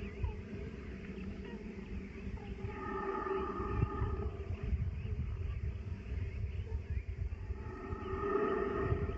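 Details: An Iberian grey shrike (Lanius meridionalis) gives drawn-out, nasal, harmonic calls in two bursts about five seconds apart, over a steady low wind-like rumble.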